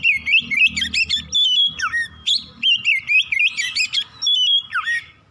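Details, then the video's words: Oriental magpie-robin, morning song used to get other magpie-robins singing quickly: vigorous sequence of sharp whistles, harsh chips and swooping slurs in quick bursts, with sliding downward notes near the end. "PANCINGAN KACER PAGI HARI CEPAT NGROPEL BUKA PARUH"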